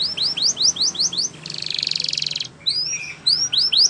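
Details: Spanish Timbrado canary training song: a quick series of rising-falling whistled notes, then a one-second buzzy trilled roll, then more lilting swoops and short twittering.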